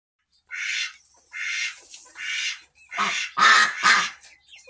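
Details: Chickens in a mixed barn flock on 26 August 2023 give six harsh, squawking calls in about four seconds: the first three breathy and high, the last three lower, more nasal and throaty.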